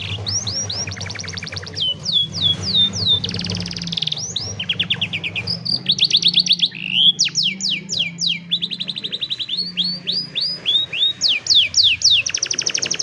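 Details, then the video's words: Canary song used for training young canaries, recorded on a cellphone: rapid trills of repeated upswept notes, buzzy rolling phrases and sliding whistles, changing every second or two, with a low hum underneath. "Mejor Entrenamiento Para Jóvenes Canarios | Canary Singing"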